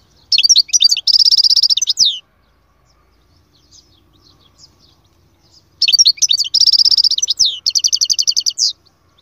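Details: Goldfinch singing in two bursts of high, rapid twittering: sharp chirps run into a fast, even trill. A quiet gap with faint chips separates the bursts. The second burst ends in a string of quick, repeated notes.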